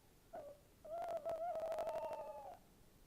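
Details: Tawny owl recorded on 11 January 2026, giving a low, wavering hooted note that breaks into a quavering tremolo for nearly two seconds, after a short opening note, with scattered sharp clicks and knocks.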